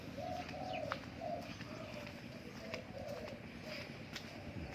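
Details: A newly acquired captive zebra dove gives soft, low, rolling coos in quick short bursts, roughly two per second, over steady background hiss with a man's voice faintly heard.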